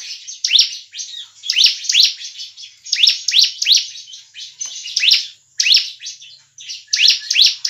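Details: Bar-winged Prinia sound used to lure birds for trapping and to encourage caged birds to sing; repeated bursts of piercing rising chirps over a buzzing high trill, with short pauses.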